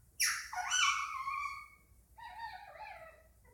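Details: Pet Indian ringneck parakeet indoors in a chattering mood, giving loud harsh squawking notes with descending harmonic bands, then a softer wavering chatter about two seconds later.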